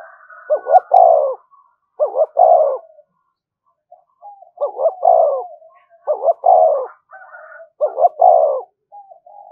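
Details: Five spotted dove phrases, given to provoke other doves, each a rapid two-note hiccup followed by a long, falling husky coo, with brief faint higher notes in the gaps.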